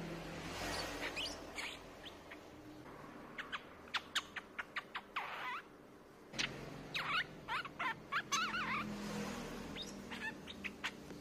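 Streak-eared bulbul giving sharp, high, clipped notes in quick irregular bursts, mixed with short slurred chirps and a brief warbled phrase, over a faint steady hiss.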